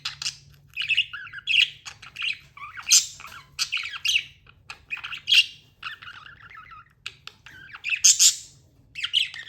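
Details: Budgerigar chattering steadily for nearly ten seconds, quick scratchy chirps and warbles in bursts about every second, some louder squeaky peaks.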